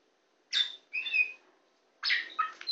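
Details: Oriental magpie-robin (kacer poci), a tame bird singing on a hand, gives two short bursts: a harsh squeaky note and a whistled phrase, then a pause before a rich, scratchy chattering phrase.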